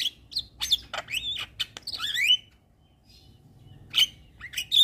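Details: Vigorous Javan myna singing all day, as a training master. Sharp clicks and a rising slurred whistle, a brief silence, then high pure whistles and clicks return.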